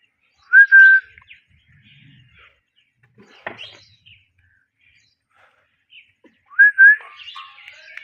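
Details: A pair of pet Indian ringneck parakeets gives two short, clear whistled chirps several seconds apart, with faint rustling and quiet room noise between them.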